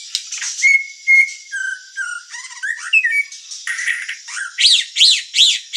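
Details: White-rumped shama song meant to stir other shamas: a series of clear whistles stepping down in pitch, then squeaky notes and repeated arching sweeps near the end.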